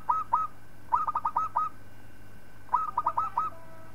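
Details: Local zebra dove singing as a training model for other birds: two soft coos, then a rapid burst of about six, a longer silence, and another quick run of rolling, bubbling coos.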